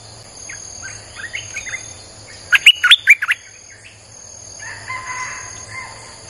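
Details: Nonstop 'sap dok' song of a streak-eared bulbul for luring wild birds: one brisk burst of five sharp chirps, surrounded by softer chattering and warbling from other birds.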